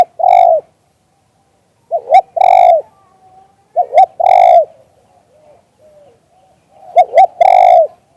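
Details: A spotted dove sings "liu tan" style cooing, recorded live. It gives four repeated phrases, each a quick double hoot leading into a strong, drawn-out coo, spaced roughly every two seconds in a quiet setting.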